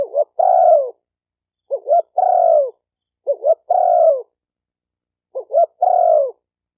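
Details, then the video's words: Spotted dove calling to stimulate males and females: four phrases, each of two short clipped coos then a long, slightly falling coo, repeated roughly every 1.7 seconds against silence. "Tiếng chim cu gáy kích bổi kích trống kích mái"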